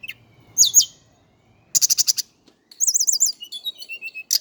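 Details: Javan Indigo flycatcher, locally sikatan cacing, delivering a looping high warble, then a rapid stuttered series of notes and a wavering trill that ends in short descending whistles.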